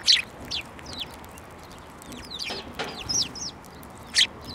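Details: At a Tenmangu shrine field of rapeseed flowers, 9 February 2024, sparrows gathering for food give bright, high chirps and short downslurred notes, loose and irregular, with a soft low rumble behind.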